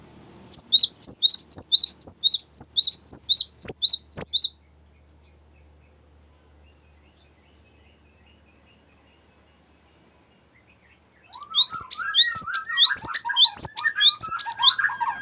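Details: Cinereous tit singing long 'ngerol' rolling song for luring and as training master song: a fast series of high sharp paired notes, several seconds of quiet, then the series resumes over lower slurred chirps.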